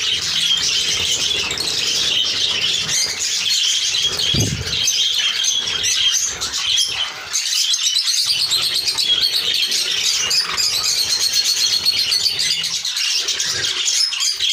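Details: Hand-tame budgerigars keep up a continuous high, scratchy chatter of chirps and warbles.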